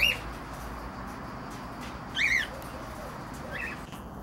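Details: Cockatiels heard as three separate screechy, arched chirps, the middle one loudest, with quiet gaps between and faint background noise.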